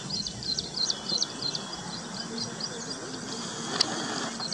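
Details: A baya weaver busy building its nest at Hoskote, Bengaluru, gives rapid, high, wheezy chirps around three per second, with low background rumble and a brief sharp click.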